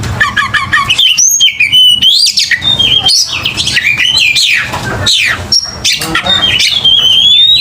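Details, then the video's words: Aggressive Oriental magpie-robin fighting song: loud, rich whistles, sweeping slurred notes and rapid chattering bursts in quick succession, with brief pauses between phrases. "KICAU KACER TARUNG NGOTOR"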